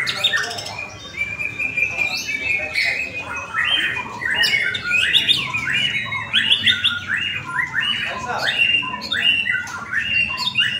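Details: White-rumped shama in a bird-singing practice contest where it took first place: a dense, fast stream of varied whistles, chirps and rising slurred notes, mostly high-pitched, with other birds and faint crowd murmur behind.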